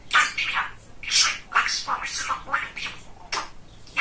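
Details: Talking pet budgerigar, a very chatty young male, indoors. Quick bursts of scratchy, speech-like chatter and squeaks come in uneven runs with short pauses between them.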